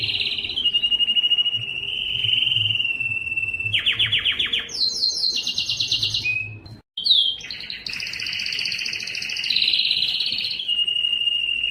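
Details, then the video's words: Lengthy yellow canary song: a steady mid-pitched rolling trill, then stepped higher buzzy tours, a brief silence, and a wavering whistled roll settling back to a steady trill. "yellow canary singing"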